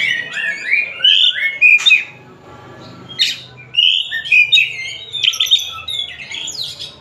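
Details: Oriental magpie-robin from Tasik delivering rich warbled song: a run of descending whistled notes, a sharp click, a pause, then a second tumbling phrase of sweet and scratchy notes.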